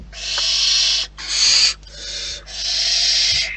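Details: Barn owls at their nest in the wild, giving long harsh hissing screeches about a second each, broad and noisy, separated by short gaps, with a faint low hum underneath.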